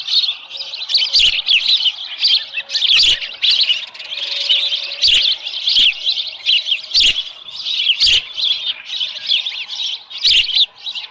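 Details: Dunrovin Ranch ospreys, nest scene on 13 July 2018 at about 7:10 AM with a small live fish: loud, piercing chirps repeated almost without pause across the whole clip, punctuated by regular sharp clicks and knocks.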